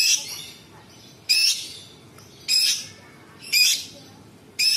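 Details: Harsh, buzzy bursts from a sooty-headed bulbul in rich mimicry song: broad, scratchy high notes each lasting about a third of a second, repeated roughly every 1.2 seconds.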